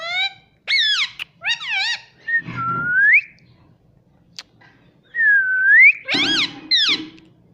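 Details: Pet ring-necked parrot strings together sharp chirps and long, smoothly rising whistles, with squawky notes at the end and a faint low hum behind.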